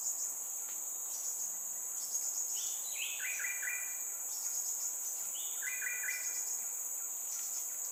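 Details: Crimson Sunbird fledgling in Singapore calling to tell its parents where it is, its mother arriving to feed it. Rapid runs of three or four bright descending chirps come twice, set against an unbroken high-pitched insect buzz.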